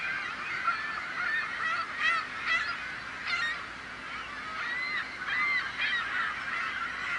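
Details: A noisy gathering of seagulls, overlapping laughing and yelping cries with several distinct loud barking calls between two and three and a half seconds, then looping wailing notes later on.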